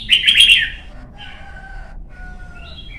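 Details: Red-whiskered bulbul song for training young birds and competition: a burst of warbled chattering notes, followed by quieter level whistled tones and a final sharp note; low steady hum in background.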